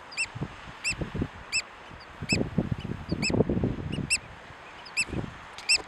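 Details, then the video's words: Eurasian oystercatcher on Tory Island in the Atlantic, nine miles off the Donegal coast, giving loud, shrill, squeaky-toy piping 'kleep' notes, about nine in six seconds at an uneven pace, over low rumbling wind or surf. "What does an oystercatcher sound like?"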